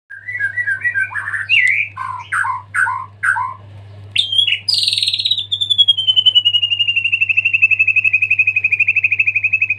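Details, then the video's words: White-rumped shama after its moult, singing actively with a full repertoire of fill-in phrases: rapid chirped notes, then a loud sweep falling into a long, fast, steady rattling trill. A low constant hum runs underneath. "murai gacor full isian pasca mabung"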